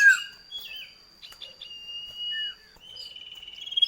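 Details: Common iora in a duet used to lure kept birds into singing; sustained thin whistles and short downslurred notes, ending in a rising pulsed trill, fairly quiet.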